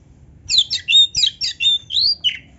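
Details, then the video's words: Kacer (magpie robin) singing a dense, varied song meant as a training track for beginner and quiet kacer. A run of high, loud whistled and buzzy notes, sliding up and down in quick succession over a faint low hum. "kacer gacor full isian MEWAH NARUNG‼️Auto NGOBRA BUKA EKOR"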